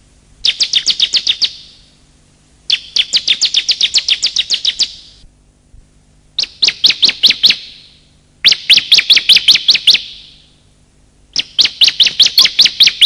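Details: Male and female bar-winged prinias giving rapid chirping calls, used as a lure for wild birds and silent captive ones: five bursts of quick, sharp, high notes, each burst lasting one to two seconds.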